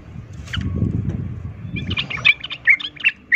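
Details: Sooty-headed bulbul fighting song, a rapid 'ropel tarung' lure meant to make other bulbuls instantly angry and fight; low rumbling background first, then quick chattery bright notes in bursts during the second half.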